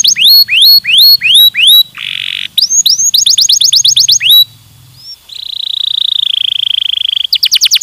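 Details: Stimulating canary song with repeated rising whistled notes, a brief buzzy burst, rapid rolling trills, then a long sustained buzzing rattle before fresh upslurred notes at the end.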